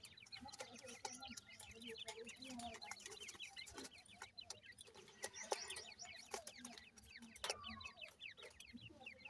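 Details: A group of grey francolin chicks indoors keeps up a steady, crowded chorus of high descending peeps, with sharp ticks and taps scattered throughout.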